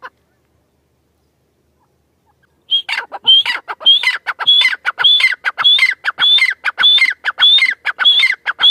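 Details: Female grey francolin giving loud, harsh, rhythmic calls, a ringing phrase repeated about every half second after a short silence.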